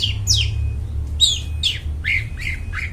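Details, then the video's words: Long-tailed shrike singing, meant as a lure for wild birds: a few quick descending whistled slurs and short twangy notes in a brief burst, over a fairly loud low humming background. "cendet gacor, suara plong bening cocok buat pikat burung dihutan"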